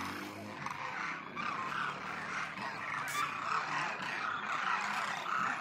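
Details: Migratory Demoiselle cranes, known locally as kurjan, at Khichan near Phalodi, Jodhpur: a dense, continuous chorus of many overlapping rolling, trumpeting calls from a large flock, with a steady low background rumble.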